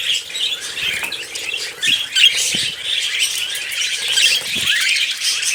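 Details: Bathing budgerigars chatter in the morning, steady high-pitched twittering and warbled phrases from more than one bird, broken by soft splashes and low knocks.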